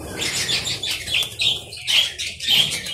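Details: A colony of budgerigars in an aviary chatters continuously in overlapping high, scratchy warbles and chirps, with bursts of wingbeats in between.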